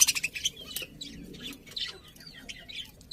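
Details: Budgerigars chirping: soft, high, scratchy twitters and quick chirps run on and off, with a louder cluster of clicks at the start and a faint background hiss.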